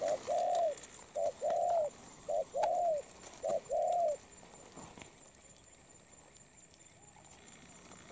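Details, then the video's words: Spotted dove, wild-caught and molting, delivers four quick low phrases, each a short coo leading into a longer rounded one, then falls silent for the last few seconds with only faint hiss. "Bổi Đồng Pha tốt tiếng , liền lẹ , bài khá , gù tốt . chim đang thay lông ."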